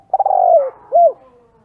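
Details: Fragment of a spotted dove call used for luring doves: a fluttering rolled coo gliding downward, followed by one short arched coo.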